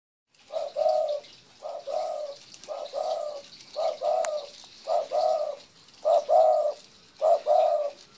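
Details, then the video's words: A spotted dove (terkukur) coos in low, mellow, doubled notes, each phrase repeated roughly once a second, eight times in a row over a faint hiss. "Suara Burung Terkukur"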